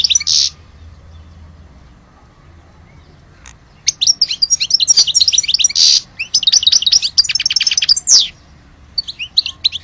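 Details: European goldfinch of Algerian origin: a short buzzy burst, a pause, then a long rapid sequence of liquid twitters and rattling repeated notes.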